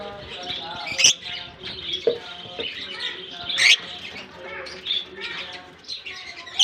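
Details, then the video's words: Colony of lovebirds at the start of summer, scattered bright, shrill chirps every second or two above a busy background of overlapping chatter from the flock. "Japan lovebirds release in colony season off come to summer 🌞 off season bird good chirping sound"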